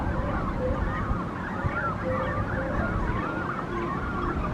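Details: Nesting colony of Brandt's cormorants with chicks at Monterey in the morning: many overlapping wavering, honking calls layered continuously, with a steady low rumble of surf or wind beneath.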